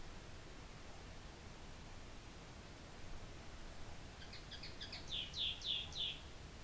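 After four seconds of low rumbling background noise, a common linnet gives a brief twittering burst of about seven quick, high, slurred notes.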